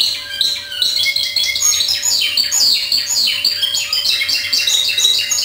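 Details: Timbrado canary in discontinuous song, indoors: dense, continuous rolling trills and metallic warbled phrases filling the whole stretch, with a steady low electrical hum underneath.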